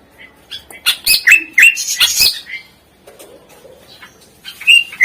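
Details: Greater green leafbird song played to coax reluctant birds into singing: a burst of rapid harsh chips and slurred whistles in the first two and a half seconds, a quiet pause, then more sharp whistled notes at the end.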